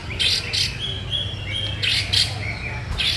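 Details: White-rumped shama in full song, mixing loud harsh rasping bursts with thin level whistles between them, repeated in a loose pattern against constant low background rumble.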